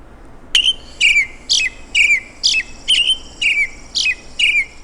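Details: American Robin in spring in Michigan, a song likened to "cheery cheer up cheerio": a steady string of short, clear caroling notes, about two per second, each dipping slightly in pitch, over a quiet background.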